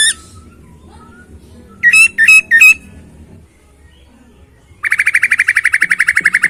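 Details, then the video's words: Masked laughingthrush singing an isian song with clear, rich tone: a quick burst of three sharp chirps, then a rapid buzzy trill of evenly pulsed notes running to the end, with a faint low hum underneath. "Poksay Hongkong isian suara jernih dan mewah"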